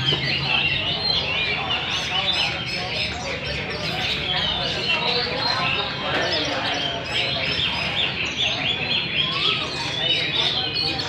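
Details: Hwamei (Garrulax canorus), older wild-caught birds in a singing contest, gives a loud, rich run of varied whistles and chirps; other birds overlap throughout, with voices in the background.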